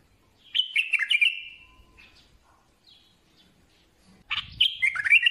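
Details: A bulbul sings a fast, throaty, whistled phrase. A quiet gap follows, then a second rich burst of slurred notes with a faint low thump beneath.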